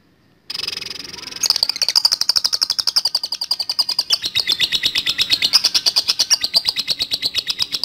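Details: Lovebird long chattering song in the ngetik latah ngekek panjang style, used to lure other lovebirds into singing: after a brief pause, a fast unbroken series of sharp, clipped notes, roughly three a second, building and running on steadily.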